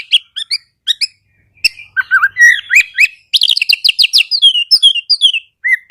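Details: Oriental magpie-robin song used to prompt reluctant magpie-robins to sing: rapid bursts of high chirps, then dense rising and falling whistled notes near the end, in a quiet background.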